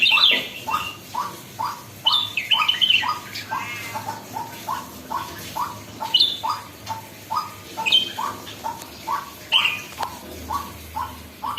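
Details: Red-whiskered bulbul starting to get lively: a long series of short upslurred whistles repeated regularly, punctuated by bright high chirps and one fast rattling trill near the middle.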